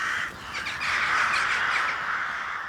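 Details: Rooks at a rookery on a village main street in Belcoo, County Fermanagh, Ireland, on a cool, calm March morning during nest building: a busy chorus of harsh, grating caws from many birds blending into one ragged din.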